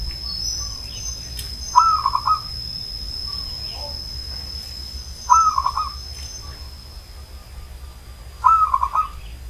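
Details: Old Banyumas zebra dove repeating a soft trilled coo three times, roughly every three seconds, amid low background rumble, faint chirps and a continuous high-pitched whine.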